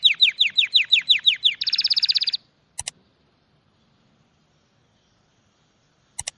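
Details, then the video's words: Bird song opening with about eight clear down-slurred whistled notes in steady rhythm, then a rapid high trill; after a pause, a few short sharp clicks. "Sonidos de pájaros☺أصوات العصافير"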